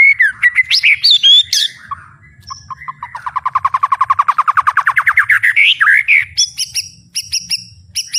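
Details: Fighting-spirited White-rumped shama in loud song: varied whistles, then a fast stuttering series of around thirty quick notes climbing slightly in pitch, ending with high sharp chips; low background hum.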